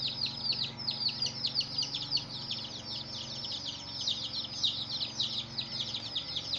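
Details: Many baby chickens beside a hen keep up constant shrill cheeping, the short high notes packed tightly and overlapping without pause, over a quiet low background hum.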